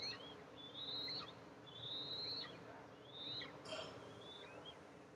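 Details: Eastern imperial eagle nest camera recording, July 14, 2024, mother arriving with food for her two eaglets; drawn-out high piping whistles, slightly rising, repeated about once a second, with a brief click and low background hiss.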